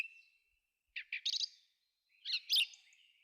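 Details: A forest thrush sings brief, broken phrases: two short notes and a quick, trilled flourish, a pause, then a harsher, chattering burst.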